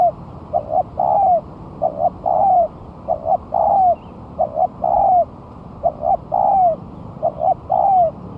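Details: After a month of moulting, a spotted dove set on the ground as a lure sings steadily: repeated phrases of two short coos and a longer coo curving downward, about eight phrases at a brisk, even pace.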